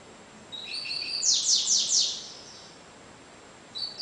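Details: Double-collared seedeater, Sporophila caerulescens, in cigano song averaging 30 songs per minute: a few thin level notes, then four quick loud descending sweeps in a row, silence, and the start of another phrase.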